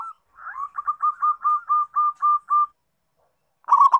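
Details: Local zebra dove (perkutut) used as a lure for a reluctant singer: a soft lead-in, then a steady run of about nine short rolling coos, followed after a pause by a rough trilled burst.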